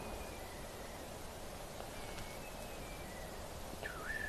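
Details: Kites at Rietspruit Game Reserve, South African Lowveld, during a sunset safari on 22 October, give thin, high whistles, faint at first, then a clearer falling whistle that levels off, over steady wind and outdoor noise.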